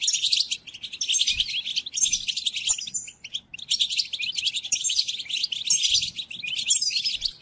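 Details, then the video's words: European goldfinch in full tutoring song for caged goldfinches: long streams of tinkling, rapid twitters in two main bursts, separated by a short quieter pause. "قدم هذه الآصوات لطائرك الحسون وشاهد ماذا يفعل Chardonneret"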